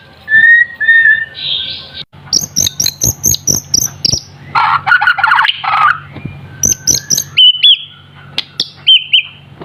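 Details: Young White-rumped shama, still dull-plumaged but already in full voice: steady whistles, then a long series of evenly spaced, piercing high chips, a rough buzzy passage, and a few final clear whistles.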